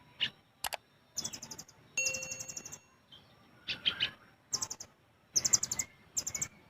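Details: Caged olive-backed sunbird giving gacor besetan and tembakan song used as a master or lure for other birds: clusters of very high rapid chirps and sharp ticks, with brief whistled tones between bursts.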